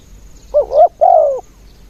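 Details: Spotted dove used as a ground decoy, cooing to lure other doves, in the 'khan yon' song style. It gives a clear, low, mellow three-part coo: two short swelling notes, then a longer note sliding down, within about one second, over quiet background.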